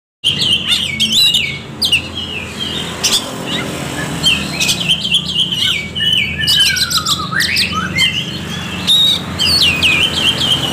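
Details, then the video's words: Oriental magpie-robin lure song, used to stir quiet birds into singing: a rich run of clear whistled phrases, sliding up and down, broken by harsh buzzy notes and sharp chips. A low steady hum runs underneath. "SUARA KACER PIKAT |KACER MALAS BUNYI JADI GACOR"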